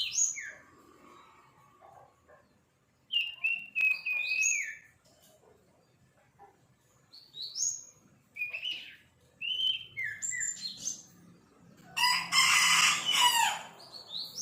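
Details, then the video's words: Young sirpu bird practising its song: short whistled and chirped notes, some slurring downward, given in loose bursts separated by pauses, then a dense harsh scratchy burst near the end; faint low background noise. "Sirpu belajar bunyi"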